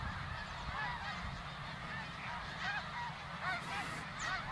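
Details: Greater snow geese in a huge migrating flock flying over Ottawa, Canada, in fall 2021. A dense chorus of overlapping nasal honks and yelps, many birds calling at once, over steady low rumbling background noise.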